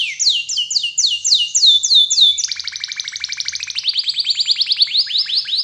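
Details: Canary song meant to prompt other canaries into full singing: loud sweeping down-slurred whistles repeated rapidly, then a long rolling trill of fast chirps, with faint low hum beneath.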